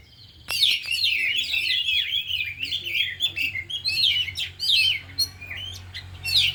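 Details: Four oriental magpie-robins in an afternoon training session, all singing and showing off their learned fill-in song material; dense, rapid, varied whistled and scratchy phrases, rising and falling sweeps overlapping almost continuously, with a faint low hum underneath.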